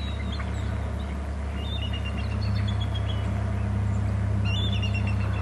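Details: On Hornby Island, a bald eagle near its nest territory gives loud calls while flying away: high, thin whistled notes, some sliding downward, scattered through the clip, with a steady deep hum underneath.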